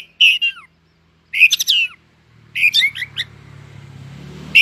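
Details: Competing song of a white-rumped shama: loud whistled bursts with falling slurs in three groups separated by pauses, with a low steady hum rising under the final second.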